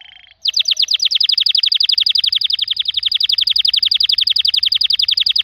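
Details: Canary in full song, a long, very rapid and loud rolling trill of repeated high notes sustained for several seconds after a short soft whistle.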